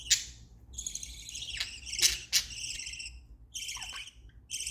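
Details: Budgerigars chirping happily: long, buzzy, warbled chirps run together in overlapping phrases, broken by a couple of sharp squawks, with a steady low hum behind.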